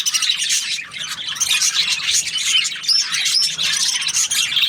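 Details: Budgie chirping happily: a bright, fast warble of squeaky notes dotted with short rising whistles, continuous from start to finish.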